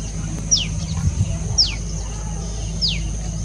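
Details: A common tailorbird calls in the morning: three sharp, high notes that slide steeply downward, about one a second, over a steady low rumble and a thin high hum.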